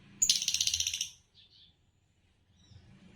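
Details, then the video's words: Green Fischer's lovebird of champion competition lineage lets out a rapid, rattling chatter of harsh pulses lasting about a second, followed by a softer buzzy note and quiet background rumble. "Spectacular Chirps from World Champions - Lovebirds Chirping Sounds"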